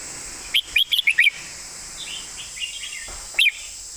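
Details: Red-whiskered bulbul master song with fine phrasing: a fast phrase of five bright chirping notes, a pause with soft murmurs, then one more sharp note near the end.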